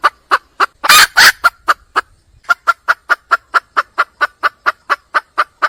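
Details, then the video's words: A red junglefowl hen calls for a mate. The clip opens with clucks, then a loud, rough double burst. After a brief gap comes a long series of quick, regular clucks at about four per second. "le bruit d'une poule sauvage,เสียงไก่ป่าร้องหาถู่หาตัวผู้,ສຽງໄກ່ປ່າຮ້ອງຫາຄູ່ຮັກ, poj qaib qus see"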